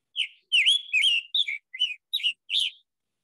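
Scarlet Tanager song: seven hoarse, burry phrases in about three seconds, like a robin with a sore throat. No other sounds are heard.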